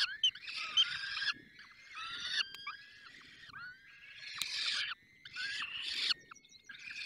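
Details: A falcon nest in the Barycz Valley at feeding: grating, noisy screeches about a second long, coming one after another with short breaks and faint background rustle.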